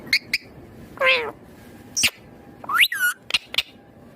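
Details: Rose-ringed parakeet, a green ringneck parrot presented as talking, gives scattered short chirps, one drawn-out wavering squawk, and a later rising, strongly harmonic call followed by brief clicks, all separated by quiet pauses.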